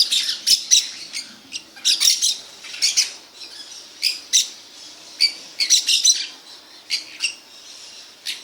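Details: Parakeets (maritacas), home recording: loud harsh squawks in bursts, many overlapping screeches repeated through the clip with short quiet gaps.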